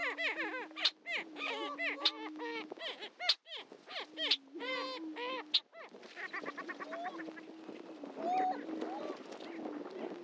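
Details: Greater prairie-chickens on the Dunn Ranch Prairie lek, Hatfield, Missouri: loud clustered cackles for six seconds, broken by short gaps, then softer scattered calls and a low hum.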